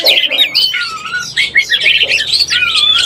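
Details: Oriental magpie-robin in breeding condition, sound used to lure birds: fluty whistled phrases with long level and falling notes between quick twittering bursts, steady and loud.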